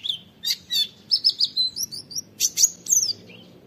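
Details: An Oriental white-eye's 'wit wit' training song, used as a lure to draw other white-eyes into calling. Short bursts of high chirps lead into a run of thin, slurred whistles, then a few sharp tweets at the end.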